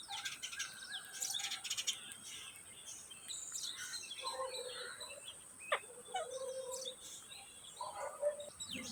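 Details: Green ringneck (rose-ringed) parakeets give harsh, high chattering squawks in quick bursts, with several birds calling over one another and a few lower whistled notes.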